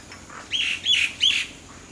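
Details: Common myna singing: three loud, slurred whistled notes in quick succession, each a bright rising-and-falling phrase, with quiet background.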